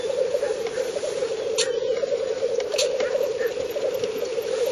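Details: Spring lek of black grouse in northern Finland, 30 April 2011, heard from 50–70 m on a Fujifilm camera. Continuous rolling, pulsing coos form an unbroken low drone, with brief hissing bursts breaking through around two and three seconds.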